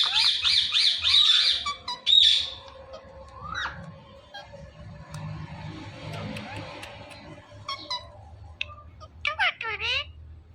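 Rose-ringed parakeet giving harsh, squawking calls in a rapid burst, then scattered shrill screeches and a few falling notes after a quieter stretch.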